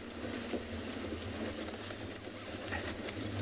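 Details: Steady low rumble and broadband rushing noise like a passing vehicle or train, with no animal calls heard.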